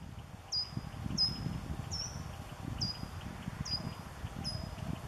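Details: Short-toed treecreeper (Certhia brachydactyla) calling: six sharp, high, slightly falling 'teet' notes, about one every 0.7 seconds, over a low wind-like rumble.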